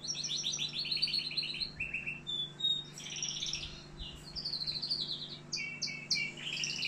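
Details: Algerian canary in continuous varied song: fast rattling trills, clipped chirps and bright high notes shift from phrase to phrase without pause, some bursts rising sharply, against a steady low background hum.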